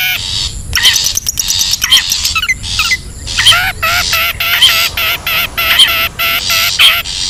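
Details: Long-tailed shrike recorded in the wild for luring birds. Rapid nasal, harmonic chatter, stuttering and wavering, broken by short hissy rasps. A fast run of clicks near the start.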